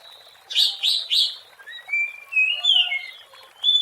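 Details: Oriental magpie-robin in the wild, singing as a lure for birds: three loud buzzy notes near the start, then clear slurred whistles rising and falling, ending on a high steady whistle.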